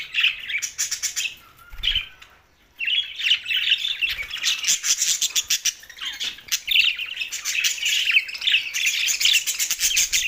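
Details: From Larkana, Sindh, June 7, 2024, lonely budgerigars chatter in rapid, grating, twittering warbles. One brief silence falls near two and a half seconds, after which the dense chatter continues to the end with small clicks throughout.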